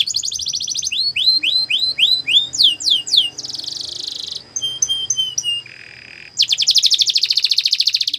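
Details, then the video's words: Canary singing a training song: a buzzy roll, then rising slurred notes repeated about three per second, a steady buzzing tour, clipped stepped notes, a lower hollow roll, and a fast trill to finish. "The Best Canary Sounds !! Canary Training"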